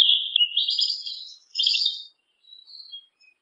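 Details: Yellow-legged thrush singing: a high, warbled phrase of rapid slurred whistles, then a second shorter burst after a brief pause and a few faint thin notes at the end; no other sounds.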